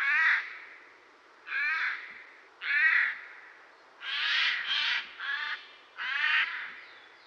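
Eurasian jay giving harsh, rasping screeches, three single calls followed by a faster run of four, each about half a second long.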